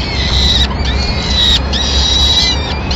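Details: Peregrine falcon at a nest in Madrid, April 2016, where the female brings a pigeon and feeds the chicks. Long, strident, nasal wails held steady then dropping at the end, given in close succession with little pause, over low background hum.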